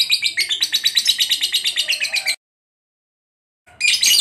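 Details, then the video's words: Lovebird recorded for training pet birds, giving rapid, pulsing, harsh chirps in a fast regular stream for about two seconds, then silence, then a sudden loud scratchy burst. "Suara Lovebird Full Bass"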